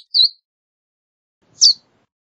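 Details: Two separate high, thin notes from a Verdin, the first slurred and whistled, the second a sharper chip about one and a half seconds later, with no other sounds.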